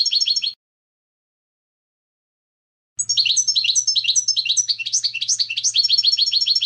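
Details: European goldfinch singing clean song: a brief bright trill, a silence of over two seconds, then a long run of quick liquid twittering notes rising and falling, with a faint low hum beneath.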